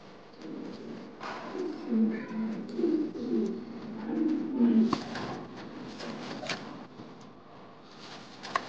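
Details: Angry male modena king pigeon, a fancy domestic breed, performing indoors: a run of low, rolling coos pulses for about three seconds, then fades, with scattered clicks and faint background voices in a small room.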